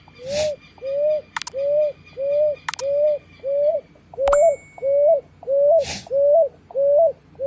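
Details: Picui ground dove chicks repeat soft whistled notes in a regular rhythm, about eleven in seven seconds, while sharp taps, clicks and a brief high squeak break in between calls.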